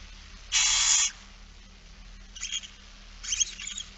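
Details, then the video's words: Barn owl feeding, Friesland, 8 September 2019: one loud half-second rasping hiss, followed by faint scratchy chittering sounds. "Kerkuil It Fryske Gea 2019 09 08 16 02 voedering"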